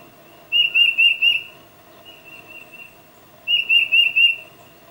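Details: A tufted titmouse calls its mate, captured with a Nikon D800 and 600mm lens: two bright phrases of four repeated whistled notes, with a fainter, smoother whistle between them.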